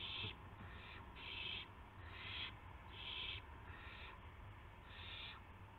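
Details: Owl at first light, 5:50 AM, March 26, 2016, during prey deliveries of a gopher and a mouse. Six coarse, noisy screeches come about one per second, with a persistent low rumble behind them.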